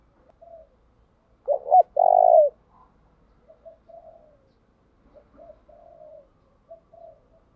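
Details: Decoy spotted dove calling to lure wild doves; a single loud phrase of a stuttered double note and a long throbbing coo stands out, surrounded by softer, lower-level cooing murmurs before and after.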